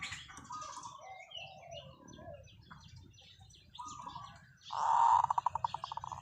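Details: Zebra dove kept as a decoy bird, singing a long call: a sudden loud coo that breaks into a fast series of clipped, pulsing notes, over steady twittering from other birds and a low rumble.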